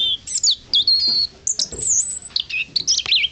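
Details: A European robin at Blists Hill sings a quick, varied run of high, thin whistles and tumbling trills, shifting pitch from phrase to phrase with brief pauses between.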